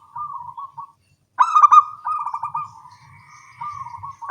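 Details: Local perkutut zebra doves call back and forth at dawn: a quiet rolling coo, a pause, then a loud stuttered phrase trailing into softer purring notes, and another bird starting up.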